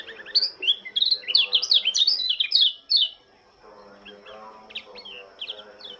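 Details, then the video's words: Dawn chorus of a Lombok white-eye welcoming the morning dew: an excited burst of fast, high, zigzagging notes for three seconds, then a quieter pause and scattered soft chirps. "Kicauan burung pleci lombok sang penyambut embun pagi"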